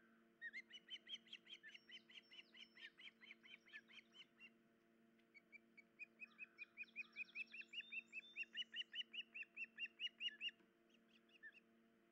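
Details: Osprey pair at their nest after the female injured a leg or foot and could not tear fish for the chicks; long runs of sharp, repeated whistled chirps, two bursts each several seconds long with a short gap, over a low constant hum.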